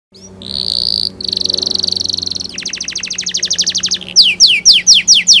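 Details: Canary song meant to prompt young canaries to practise singing: long buzzy high trills, a rapid rattling roll of notes, then loud repeated downward-hooked whistles, with a faint low hum beneath.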